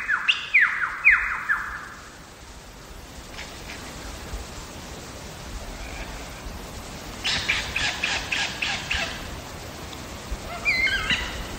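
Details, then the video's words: Wild lyrebird singing in Megalong Valley, Blue Mountains, Australia: loud descending whistled notes repeated in quick succession at the start, then a burst of rapid clicking, dense phrases near the end, over steady background hiss. "Lyrebird song"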